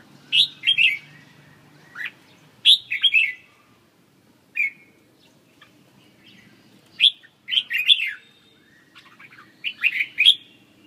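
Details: Red-whiskered bulbul delivering cheerful whistled phrases of two to four quick notes, spaced by gaps of a second or more, against a faint low hum.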